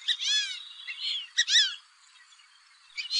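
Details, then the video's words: Fulvous whistling duck call offered for hunting use: a series of squeaky, arched whistles with a rising-then-falling pitch, two bursts in the first second and a half, then quiet and a brief final note. "Fulvous whistling duck | Fulvous duck call sound | Fulvous ducks hunting voice"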